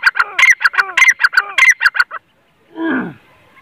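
A Grey francolin gives a fast run of harsh, ringing notes, about a dozen in two seconds. A brief rough, falling sound follows after a pause.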